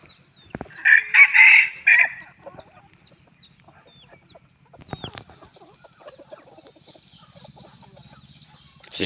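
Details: In Bueng Kan, Thailand, on a hot evening, a bantam chicken gives one loud, rasping, multi-part crow lasting about a second. After it come quiet background chirps of small birds and a few clicks.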